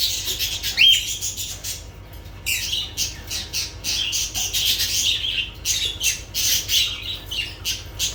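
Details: One high squawk, then a long stretch of busy, rasping lovebird chatter with fast scratchy notes and squeaks, over a faint low hum.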